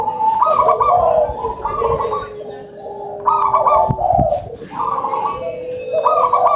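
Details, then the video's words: Local zebra doves singing with a loud, full voice: a rolling, stuttering high coo followed by long, lower drawn-out trilled notes, phrases repeating every couple of seconds, several birds overlapping. "PERKUTUT LOKAL SUARA BESAR"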